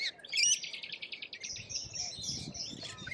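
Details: Australian lorikeet giving a loud, rasping buzzy burst of rapid pulses at the start, followed by softer shrill chatter and scratchy high squeaks.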